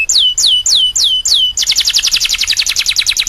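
A domestic canary sings five clear, descending whistled notes, then breaks into a fast, bright, rolling trill of rapid repeated chips.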